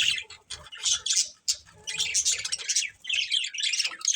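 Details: A budgie family chatters with high squeaky chirps and harsh little squawks in irregular bursts, broken by a sharp click and short pauses.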